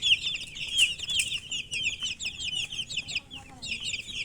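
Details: Thirsty domestic chicken chicks calling for water, a dense chorus of loud, high, downslurred peeps repeated rapidly and overlapping throughout, with a quieter patch toward the end.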